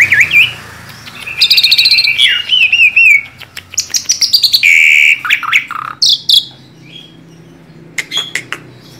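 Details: Tame Asian pied starling singing steadily, used as a lure to prompt young starlings: high whistled notes with rising and falling slurs, buzzy bursts and short chirps in quick irregular runs, quiet low hum underneath.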